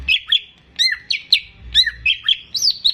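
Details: Greater green leafbird, a caged bird in full song for prompting untrained birds, repeats paired bright whistled notes with down-slurred tails, about two phrases per second.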